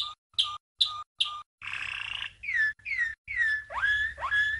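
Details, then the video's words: Training song of a 1997 champion Malinois canary: four short sharp notes, then a buzzing rattle followed by slurred downward whistles and upward-swooping notes. "Malinois CANARY From 1997 - 12h Training Song"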